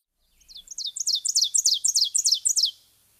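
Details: An Ovenbird, a forest-floor warbler, gives its loud song: a rapid series of about ten emphatic two-part phrases, teacher-teacher, rising in strength over two seconds, with no other sounds.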